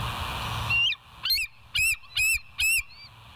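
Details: Bald eagle at the West End nest on 8 August 2023, 07:30, giving a series of five sharp, high, squeaky chittering notes about half a second apart, each followed by a thin whistle, over a low rumbling background.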